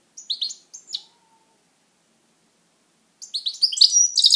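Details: Singing pet goldfinch, European species: a few separate sharp chirps, a long pause, then a rising stream of quick tinkling twitters.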